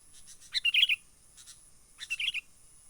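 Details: Sooty-headed bulbul from the wild giving its trapping lure call: two brief, bubbly warbled phrases about one and a half seconds apart, with a faint steady hiss behind.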